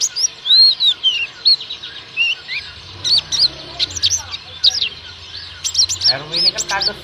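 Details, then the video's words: Forest oriental white-eyes in an active chorus: quick, high, arched chirps and sharp clicks repeated in irregular runs, with a soft low rumble in the background. "KUMPULAN BURUNG PLECI NGALAS SAMPE BUKPAR GACOR"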